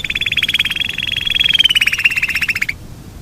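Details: Yorkshire canary in a long rolling song: a fast, even, pulsed trill held for nearly three seconds, slightly rising then falling in pitch before stopping abruptly.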